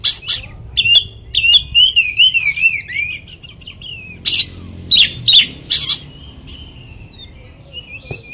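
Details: Lure singing by an Oriental magpie-robin aimed at angering another magpie-robin: sharp chips, a long undulating whistled warble, loud harsh bursts, then fading thin whistles.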